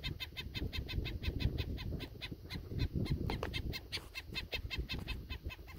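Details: Possibly a black-necked stilt (Himantopus mexicanus), uncertain ID, on a sod farm near Indiantown, Florida, agitated with a chick hidden in the grass, circling an intruder: sharp, yapping kek notes, about four or five a second, over low wind rumble.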